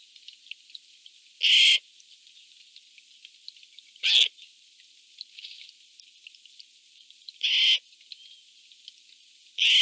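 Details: Harsh, hoarse screeches from Eurasian jays squabbling over food, four rasping bursts arriving every two to three seconds against a quiet background with faint twittering.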